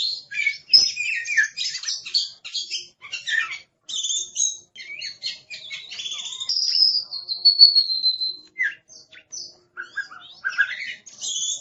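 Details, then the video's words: Aggressive, fierce-sounding oriental magpie-robin in full song, a dense jumble of rapid whistles, chirps and buzzy notes with a long drawn-out whistle near the middle, loud and busy throughout. "Suara Master Burung Kacer Galak"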